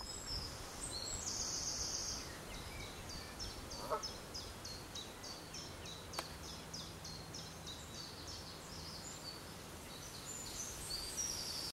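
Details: Canada goose goslings with adults on the Oxford canal give a steady stream of thin, high peeps, several each second, over a low background rumble, with one sharp click midway.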